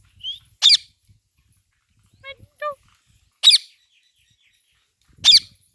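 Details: Indian green parrot kept as a pet in India, talking with its owner: three sharp harsh screeches spaced a few seconds apart, with a brief whistled note and two short tonal, voice-like sounds in the middle.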